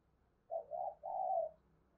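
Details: Spotted dove decoy bird gives a quiet three-part coo, two short soft notes running into a longer smooth purr, heard over faint steady background noise.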